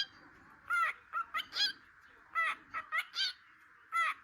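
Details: A cockatiel that chats and talks all day chatters in short, scratchy bursts with warbled, rising and falling notes.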